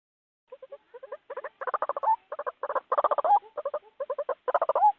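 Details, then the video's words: White-breasted waterhen recording used as a lure for trapping birds: rapid grunting, croaking bursts in clustered runs of notes, with short pauses between bursts and some notes ending in a brief upward squeal. "Rekaman burung ruak ruak sudah di uji ampuh"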